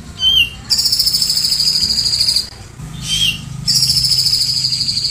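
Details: Grey-cheeked bulbul singing in the 'tembakan cililin' style, kept as a master bird for tutoring songbirds: a sharp upslurred whistle, then a long, fast, buzzy pulsed trill held high and steady for nearly two seconds, repeated after a pause.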